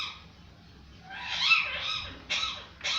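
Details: Parrot making harsh, raspy squawks: a long grating call followed by two short, loud, noisy bursts in quick succession, heard indoors with low background hiss.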